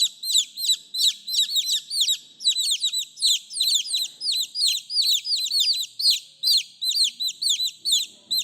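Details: Several chicks calling for their mother: a dense, continuous chorus of high, thin peeps, each sliding sharply downward, overlapping rapidly throughout with no pauses.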